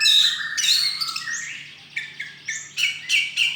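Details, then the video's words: Contest-winning white-rumped shama at a bird song festival, 26 November 2023: a long sliding whistled phrase followed by spaced sharp chirps and harsh notes repeated roughly twice per second, low hum in the background. "Kacer Juara 1 Festival dan Lomba Burung 26 Nov 2023 !"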